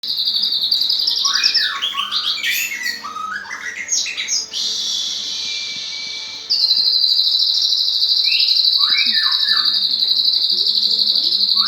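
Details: White-rumped shama (murai batu) singing vigorously: varied whistled phrases, sliding and falling notes and quick chirps. A steady, high, buzzing drone runs through most of the recording, briefly dropping out before returning loudly.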